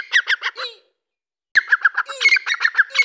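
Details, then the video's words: Partridges, Dakkni teetar and young Irani teetar chicks, giving bursts of harsh, rapid chattering notes repeated in quick series, a brief silence splitting two bursts, with short low whistled slurs mixed in. "Dakkni Teetar ki Awaz"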